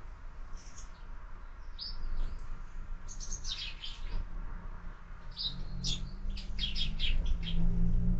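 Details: Several sparrows at a window feeder in the morning give short high chirps in loose clusters, growing busier toward the end over a steady low hum.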